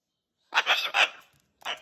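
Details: Pet cockatoo telling his stories with his whole body while flinging fibres: two bursts of harsh, raspy, broadband squawking chatter, the first about three-quarters of a second long, then a short pause and a brief second squawk.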